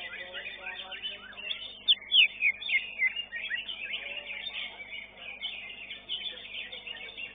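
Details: Competition-singing greater green leafbird, a fifth-place winner in a caged contest at Divarina Srengseng. A fast chattering warble is broken by a run of loud, sharply falling whistled notes, then continues as a busy twittering stream.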